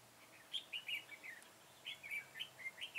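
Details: Red-whiskered bulbul sings while a decoy bird is used for trapping, 21 September 2017. Clear chirpy, warbling notes come in two bursts of four or five slurred whistles each, separated by a short pause.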